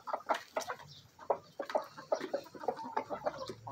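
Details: Feeding frenzy of a backyard flock, Bielefelder-Marans mix rooster and Marans, Araucana, Easter Egger and Olive Egger hens; repeated sharp clucks in uneven bursts, some drawn-out calls near the end, pecking taps throughout.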